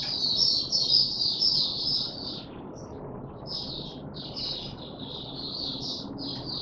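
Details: Caged white-eye on 31 December 2021, being pushed into form and opening its song: quieter high warbling phrases, continuous at first, then in short separated bursts over steady low background hum.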